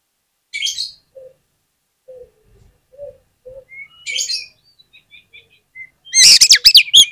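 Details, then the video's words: Oriental magpie-robin singing as a lure to provoke other magpie-robins into song: scattered buzzy bursts and soft low notes, short high whistles, then a loud, rapid, chattering outburst at the end. "PANCINGAN KACER ANTI GAGAL !! KACER APAPUN DI JAMIN LANGSUNG NGOBRA ON NGUNCI"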